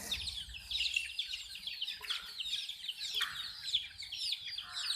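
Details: Chicks drinking water produce a busy, high-pitched peeping chorus with falling notes, interrupted by a few short clicks and a brief scuffling sound.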